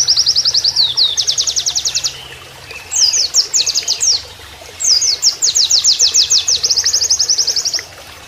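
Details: 'Nembak kenarian' song of an Oriental white-eye for training: nearly continuous high trills, fast evenly spaced notes running in three long bursts with a short break, over soft background noise.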